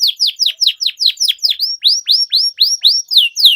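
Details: A canary sings actively to prompt silent birds to resume song. It gives a fast run of bright, high down-sweeping notes, then switches to rounder rising-then-falling syllables, all evenly repeated several times a second.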